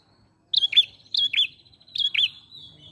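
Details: Ashy prinia in lively full song: three bursts of sharp, high chirps, each a pair of quick downslurred notes, sounding clean against a quiet background.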